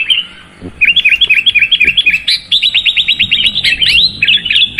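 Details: Sooty-headed bulbul in vigorous song: an almost unbroken stream of sharp, bubbly chirps, some slurred up and some down, delivered in fast rhythmic runs for nearly five seconds.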